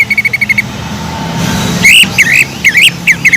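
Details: Greater green leafbird singing with kingfisher imitation. A short rapid trill is followed by a brief lull with low background rumble, then loud, sweeping, warbled whistles.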